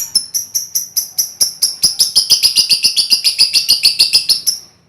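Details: A steady ngekek-style chatter from a hand-reared lovebird colony, used as a lure for trilling: over twenty high, buzzy notes repeated at roughly three and a half per second, growing denser, then fading out.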